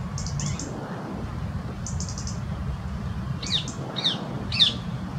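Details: European robin in a rose garden, annoyed by a pair of rose-ringed parakeets on the branch above, ticking irritably at them: short sharp ticks about every half second late on, with clusters of high rapid clicks earlier and low background rumble.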